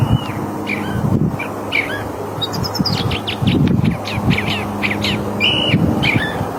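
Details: California thrasher (Toxostoma redivivum) sings a steady run of varied, rich phrases: whistles, chirps and harsher notes, several each second, over a low background rumble.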